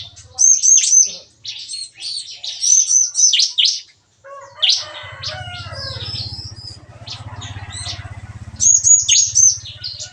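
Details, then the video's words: Morning song of captive bar-winged prinias in a breeder's aviary, busy 'nembak-nembak' chatter: high sharp chirps and short whistled phrases repeating every few seconds, over a steady low mechanical hum and softer background twitters. "Nembak-nembak! Kicauan CiKris Pagi Hari"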